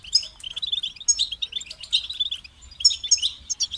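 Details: European goldfinch song: fast, liquid twittering with tinkling high notes and buzzy trills, given in bursts separated by brief pauses and short gaps.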